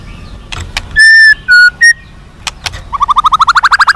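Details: White-rumped shama song, used to make captive shamas more responsive and fighting: clear level whistles and short sharp notes, then a quick run of rising chirps repeated about four times a second.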